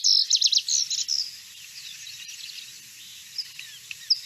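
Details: Lazuli Bunting in the Boise, Idaho area sings a fast, high, tinkling, musical phrase of paired notes lasting about a second, then fades into faint background chirps.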